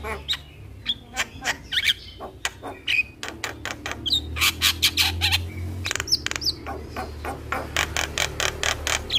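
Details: Javan myna song used as a lure to make a quiet myna sing: long series of dry clicking notes and rasps with occasional short whistles, fairly steady and chattering throughout.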